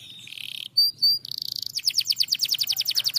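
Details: Canary responding to a lure recording with a dry buzzy trill, two pure high whistles, then a long rapid trill of falling sweeps, delivered several per second and gradually slowing.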